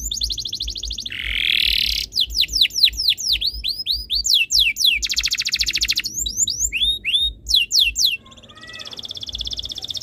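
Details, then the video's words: Canary tutor song meant to prompt other canaries to sing: fast rattling trills alternate with buzzy sustained notes and series of sharp descending whistled sweeps, loud and continuous, ending in a softer high trill. "MASTERAN BURUNG KENARI ABAD INI - BIKIN KENARI LAIN IKUT BUNYI"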